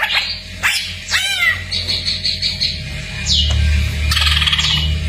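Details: Greater green leafbird song, a masteran training recording packed with fill phrases: sharp downward-sweeping whistles, chirps, a high steady warbled stretch and a falling slurred note, over a constant low hum.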